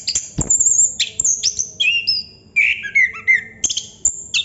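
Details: Chestnut-capped thrush singing in the continuous 'ngerol' style: varied high whistled phrases, some sliding down and some buzzy, in short bursts with sharp clicks between them.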